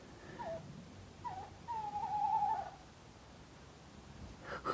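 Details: At least two owls hooting right outside a canal narrowboat at night, heard through the bedroom window: two short, low notes, then a longer, wavering, quavering hoot lasting about a second. A brief noise burst closes the clip.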